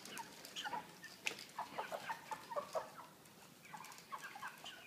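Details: A crowd of caged 3 kg broiler chickens with pan feeders gives short, overlapping clucks and chirpy notes, several each second, over a steady barn hum.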